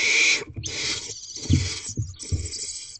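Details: Barn owls at a nest box at night, the female handing food to an owlet at 1:27 am on 2/7/23. A short hiss with a faint whistled edge is followed by a longer rough hiss, then low knocks.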